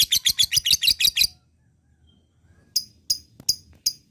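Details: Lovebird singing: a quick burst of seven harsh, high chattering notes is followed by a pause, then four sharp, separate chirps spaced about half a second apart.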